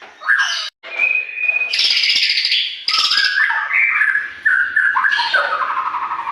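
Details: White-rumped shama singing loudly in a morning compilation for training captive birds: a held whistle, then harsh buzzy bursts and descending chattered notes, briefly interrupted at the start.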